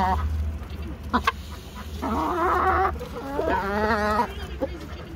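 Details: Chickens running about giving clucking and squawking calls, harsh broken notes with rising and falling tones, over low background rumble.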